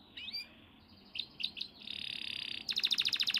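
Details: Canary, caged songbird, singing a few quick chirps, then a steady buzzy trill followed by a rapid, louder repeated rattle of high notes.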